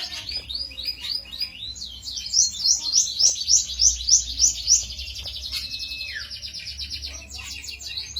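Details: Song of a cito bird, recorded as lure and master material for tutoring songbirds: quick whistled phrases lead into a loud, regular twittering series pulsing about three times a second, ending in a falling whistle and softer chatter.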